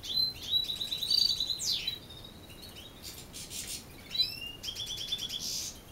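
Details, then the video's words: European goldfinch evening song at dusk, with canaries also singing: rapid high tinkling trills, a sharp descending sweep, and a few upward-slurred chirps in lively, uneven phrases. "Το βραδινό τραγούδι της καρδερίνας"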